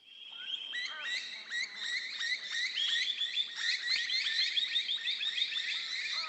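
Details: Noisy miner (Manorina melanocephala) community alerting each other to a danger, with many birds overlapping their harsh, high chattering alarm calls and sharp whistles into a dense wall of sound as they mob; Australia.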